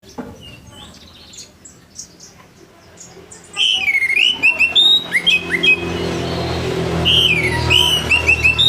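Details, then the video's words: Orange-headed thrush singing loudly in the morning, a harsh voice meant to get other orange-headed thrushes singing quickly. Quiet scattered chirps at first, then strong whistled phrases that slide and warble, with sharp high notes between them. "ANIS MERAH NGEPLONG PAGI‼️SUARA KASAR BIKIN ANIS MERAH BAHAN CEPAT BUNYI‼️"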